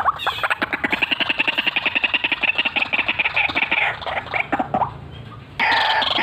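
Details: White-breasted waterhen in full cackling, rolling call: a long, even train of rapid, raspy pulses that slowly softens, then breaks off before a sudden loud harsh burst at the end.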